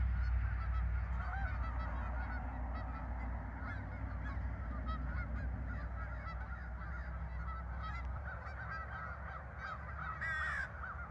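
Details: Many geese at a farm park, 10 November 2024, honking rapidly and overlapping, about four calls a second, over a deep rumbling background and a brief harsh burst near the end.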